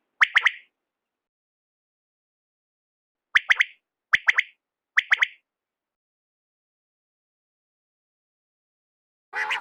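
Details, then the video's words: Quail (batair) giving short, sharp, clipped notes: one burst, then three in quick succession about a second apart, with a rougher burst at the end and silence between. "duhre bataire ki awaz"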